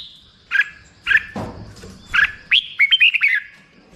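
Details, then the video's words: Black-crested bulbul song: a few short bright whistled notes with a low thump in the middle, then a quick run of rising and falling chirps near the end. "suara burung merbah jambul"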